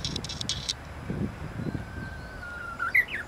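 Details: At Maizuru Park, 23 March 2020, a Japanese bush warbler hidden in a camellia tree holds a long level whistle before ending with a short sharp upward flourish; earlier, brief chirps and low rustling thumps are heard.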